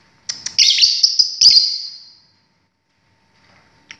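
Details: Lovebird, a pet bird, giving a few sharp chirps and then a long shrill, buzzy screech of about a second and a half with slight wavering, before going quiet; a faint chirp is heard near the end.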